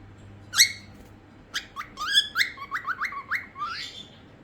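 A cockatiel gives one harsh squawk, then a quick run of bright, rising chirped whistles.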